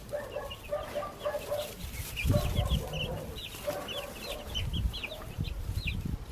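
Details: Backyard baby chicks chirping in a dense chorus of short, high, downslurred peeps, with lower rapid clucking notes in bursts and some rustling and bumping underneath.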